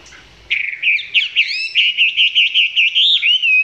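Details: Chinese hwamei recorded at close range, its song not yet at full strength: a bright run of whistled notes, then a steady series of clear warbling phrases, each roughly a third of a second long, in a quiet setting.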